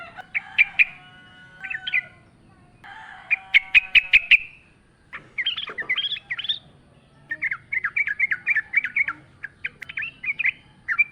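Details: ['Yellow-vented bulbul in wild-style song with natural ambience, used as a lure. Varied chirps, quick note clusters and bubbling chatter come in repeated bursts across the recording.']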